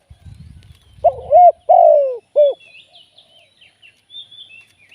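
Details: Spotted dove used as a live decoy for trapping, delivering a single three-note coo phrase: a quick coo, a longer descending croo and a clipped end. A low rumble comes before it and high bird chirps follow.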